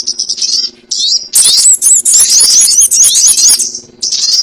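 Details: Sogon ontong lure call for trapping: soft, thin chirps at first, then a loud rush of shrill twittering and quick rising whistles lasting about two seconds, followed by quieter chirps, over a faint low hum.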